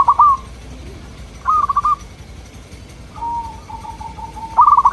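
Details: Zebra dove of local type, its soft, melodious cooing played to draw replies from local birds: short clipped bursts of rolling notes separated by quiet gaps, and one drawn-out purring phrase before a final burst.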